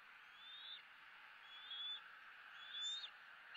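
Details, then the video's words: Eaglet E9 begging for food at a Southwest Florida nest at 06:54 on 2 April 2017, parents perched in a nearby dead tree; three thin, rising whistled notes about one second apart over steady broadband hiss. "E9 is calling for food..."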